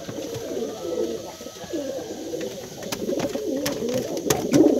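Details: Male brown pigeon calling his female, giving a low wavering coo that warbles up and down, with tapping sounds and a faint whistle-like tone early on.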